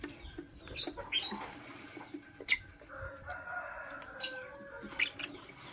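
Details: Morning chirping from green and blue masked lovebirds: scattered shrill, scratchy bursts about once a second. A drawn-out lower tonal call sounds in the middle.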